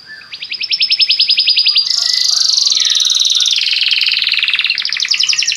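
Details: Continuous Belgian canary song for encouraging caged canaries to sing, opening with a rapid even trill, merging into a rich buzzy warble, and closing with another fast high rolling series.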